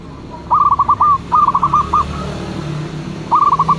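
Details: Local Zebra dove giving a lure call: short bubbly phrases of rapid, slightly downward-bending coo notes. Two phrases run together early on, and a third begins after a pause. A low background hum is audible throughout.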